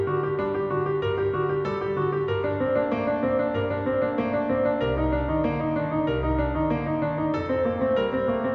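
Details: Piano music plays throughout, with repeated chords and a bass line and no animal voice.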